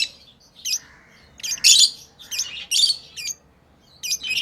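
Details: Pet lovebirds chirping while playing: short, harsh, high-pitched chirps in scattered bursts, with a denser cluster of buzzy notes near the middle and quiet gaps between.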